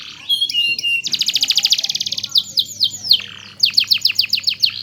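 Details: Vigorous canary song for teaching other canaries; a rapid pulsing trill, varied whistled slurs, a brief pause, then a quick row of sharp downward chirps.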